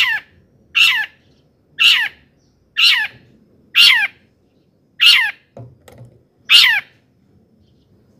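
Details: Energetic long-tailed shrike song meant to provoke other shrikes into agitation. Loud, grating, downward-sweeping notes spaced about a second apart, seven in total, with a brief low thud near the middle.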